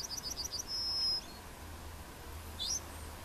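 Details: Emberiza citrinella, the Yellowhammer, recorded in Plochocin in July 2013: the tail of its song, a string of short high notes and a long flat whistle, followed by a brief upward sweep.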